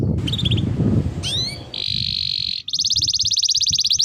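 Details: Canary song used to train other canaries: scattered chirps and an upswept whistle, then a steady buzzy trill and a fast rolling trill of repeated notes, over noticeable low-frequency background noise.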